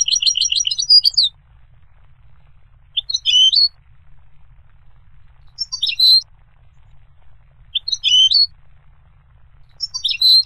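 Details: Goldfinch, kept by bird owners, singing short bright twittering phrases of high chirps and trills, delivered in bursts roughly every two and a half seconds with quiet gaps between.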